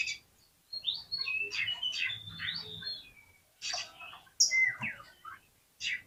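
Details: Kacer, the oriental magpie-robin, singing a provoking song meant to make a reluctant bird spread its tail and fight. Quieter, varied whistles slur up and down between scratchy notes, delivered in several short phrases separated by pauses.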